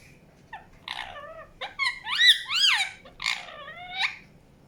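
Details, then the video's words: Indian ringneck parakeet calling with wavering, nasal chirps and loud up-and-down squawks, irregularly spaced over several seconds, indoors. "PARROT CHIRPING SOUNDS | NATURAL SOUNDS PARROT CHIRPING"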